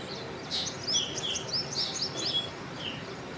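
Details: Black drongo calling: a string of high, sharp whistled and slurred notes, some rising and some falling, coming in a loose burst over steady background hiss.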